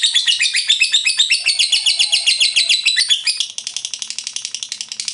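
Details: Nonstop ngekek from a lovebird: loud, rapid, harsh chirping for three seconds, then a quieter, even run of quick clicking notes.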